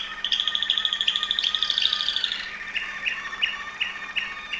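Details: Song of a Waterslager Malinois canary, Veliko Gradiste, Serbia: a rapid, evenly pulsed high trill lasting nearly two seconds, followed by a string of short clear notes spaced about every third of a second.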